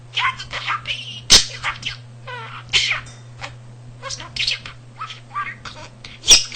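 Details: A pet male budgerigar that picked up nearly 300 words and phrases from household talk and also imitated the family cat's purring chatters in rapid, squeaky, warbled syllables like mimicked speech, over a steady low hum with two sharp clicks.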